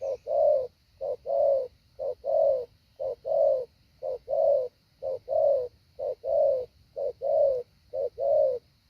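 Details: Decoy spotted dove in training, delivering the 'hạ bổi' call pattern: soft, deep hooted coos grouped as a short note followed by a longer one, repeated evenly about once a second over a quiet background with faint high hiss.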